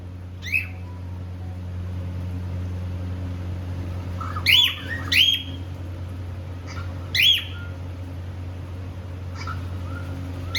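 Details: A pet cockatiel pair, described as happy, singing and playing: loud, sharp, rising-then-falling chirps with rich overtones, given singly or in quick pairs every few seconds, over a steady low electrical hum.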